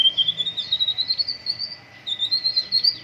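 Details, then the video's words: White-rumped shama in morning dew airing, giving a long high wavering whistled trill that pauses briefly then resumes, over a steady faint background tone. "MURAI BATU GACOR, PROSES BURUNG MURAI PENGEMBUNAN PAGI"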